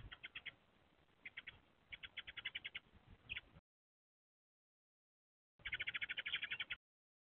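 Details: Eurasian tree sparrows at a nest box on 6 April 2024: the resident male chatters rapid chirps from the roof at a young male seeking a nest site while a young female dances in courtship. Bright chirps come about three per second in two bouts.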